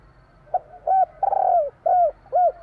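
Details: Three-note 'kuk 3' song of a Javan spotted dove: a clipped opening coo, a stuttering purr that smooths into a long falling coo, then two rounded coos, close and clear.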